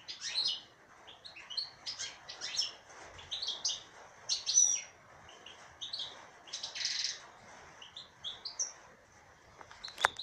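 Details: Female European goldfinch singing a liquid, twittering song of quick high chirps and short trills in bursts, with brief pauses and a sharp click near the end.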